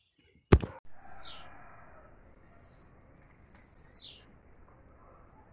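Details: Blue-black grassquit, a captive bird, gives two high buzzy descending phrases nearly three seconds apart after a sharp loud knock, with a steady low rumble underneath.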